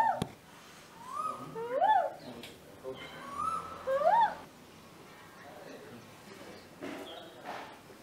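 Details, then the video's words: Male Asian koel at a home in Vidhya Nagar, Hassan, India, in the breeding season, calling back and forth with a woman imitating it; rising two-part koo-Ooo whistles repeated, mixed with her voice and household noise. "arguing with an Asian koel (male)"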